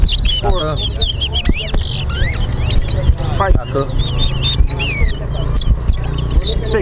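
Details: Towa towa (seed finch) competing in a singing race at Bath Settlement, Berbice, Guyana: bursts of sweet, swooping whistles and trills, some notes sliding down, while people talk loudly throughout.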